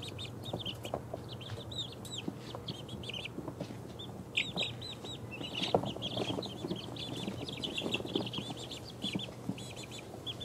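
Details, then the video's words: Two-week-old baby chickens of mixed breeds, ISA Brown, Barred Rock, Easter Egger, Speckled Sussex and Australorp, settling to sleep; continuous overlapping high, short peeps and trills from several chicks above a constant low hum. "Cute baby chickens falling asleep"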